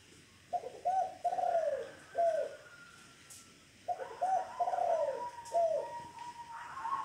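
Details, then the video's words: Local zebra dove delivering its 'kong' style song: two phrases of quick, rolling, slightly falling coos, each a staccato run of about five notes, with a faint thin whistle drawn out behind them. "Suara Perkutut Lokal Kong"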